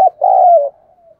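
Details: A caged decoy spotted dove calls to draw in wild doves: a short click, then a single deep, smooth coo that fades into a faint trailing hum, with no other sounds.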